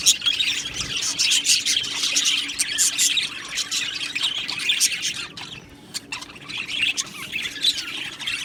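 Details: Many budgie parakeets in an aviary colony chattering: overlapping high, scratchy chirps and squawks, loud at first, dipping quieter in the middle, then building again toward the end.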